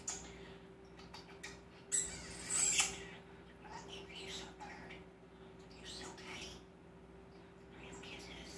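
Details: Common starling kept as a pet, a mimic of kisses, laughs, whistles and human phrases, giving scratchy chatter, then two sharp high squeaky whistles in quick succession, with a steady background hum.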